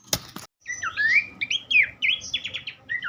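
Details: Tutor recording of a Horsfield's babbler for teaching songbirds. Two sharp clicks come first, then a rich run of looping, slurred whistles and quick dipping notes, delivered almost without a break.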